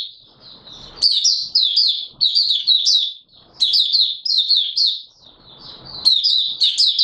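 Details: On 24 March 2022 a caged Oriental white-eye (Mata Puteh Raja) sings its opening song: soft low scuffling, then loud, rapid, high chirping phrases in repeated bursts, with more rustling between them.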